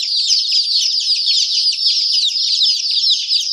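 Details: Young chickens calling as a group: steady, shrill downward-slurred peeps packed tightly together without a break for the whole stretch.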